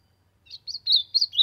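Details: Warming-up song of an Ultramarine grosbeak in the sertão. After a pause comes a run of five bright, slurred whistles, each dipping and rising, growing louder toward the end over a soft low hum.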